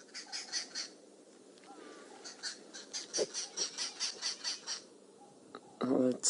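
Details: Arrow-marked Babblers mobbing a female boomslang to chase it away, filmed on 21 January 2017; harsh, rasping chatter in rapid bursts repeated about every third of a second, with a man talking quietly.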